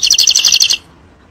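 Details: European goldfinch delivering a short, fast, bright trill of high repeated notes in the intense 'fire' song used to teach young birds, lasting under a second.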